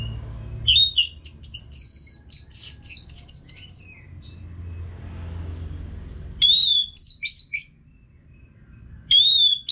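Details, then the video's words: Orange-headed thrush (Anis Merah) from Singaraja, North Bali, in nonstop song used as therapy for caged birds. Bursts of rapid, high chattering and whistled notes separated by pauses of a few seconds, with a soft rumble between. "ANIS MERAH GACOR TIADA HENTI TANPA NGETEM BAGUS BUAT TERAPI BURUNG AGAR IKUT NGEPLONG NYAUT"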